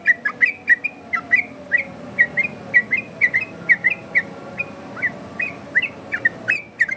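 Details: Yellow-vented bulbul song recorded for masteran, varied style: spaced, clear whistled notes with rising and falling slurs, busy at first, then sparser phrases with gaps, over a faint constant hum.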